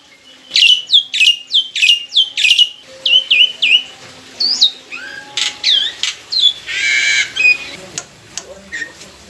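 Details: Black-winged myna, a mature captive singer used to provoke a response: series of loud squawks with descending whistled tails, then shorter slurred whistles and a brief harsh rasp.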